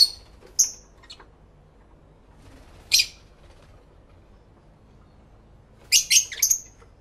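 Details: Lovebirds singing and talking to one another, recorded in stereo using a camera with two external microphones; scattered sharp high chirps early on, then a burst of four fast, shrill squeaks near the end.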